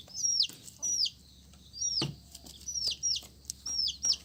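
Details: Colourful chicks peeping: high, thin notes that drop sharply in pitch, given singly or in quick pairs about once a second, with a soft low hum underneath.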